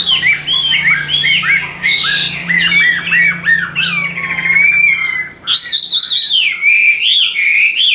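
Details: Caged Hwamei in Vietnam singing a rich run of loud, clear whistled phrases, each note swooping up and down, shifting to higher, brighter slurred whistles after a short pause, with a low steady hum underneath.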